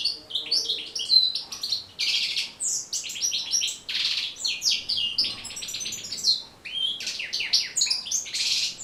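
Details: European goldfinch song for training and stimulating goldfinches to sing. Rapid, lively twittering continues throughout, mixing liquid chirps, buzzy notes and short trills in quick succession, with only tiny gaps.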